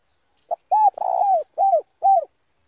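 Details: Spotted dove decoy singing a slow "đồng" style song meant to provoke rival males: a brief opening note, then four soft arched coos, the second long and tremulous, clean and without other sounds.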